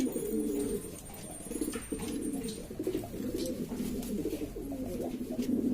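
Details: Domestic pigeons of various kinds native to Lombok, Indonesia, crowding together and calling: a steady bed of deep, bubbling coos, some drawn out and wavering, with soft clicks and a thin high tone.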